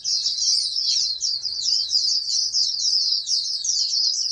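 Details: High, sweet, rapid warbling from a bred oriental white-eye groomed for national competition, a continuous run of squeaky rising and falling notes with one short downward slur early on.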